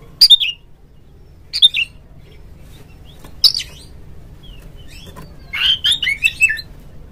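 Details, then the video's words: Oriental magpie-robin phrases meant to get other magpie-robins singing: sparse short sharp chirps spaced over several seconds, ending in a quick run of varied whistled and buzzy notes. "suara panggilan Kacer NGEPLONG nge-play Ngobra GACOR bikin semua JENIS BURUNG KACER ikut GACOR"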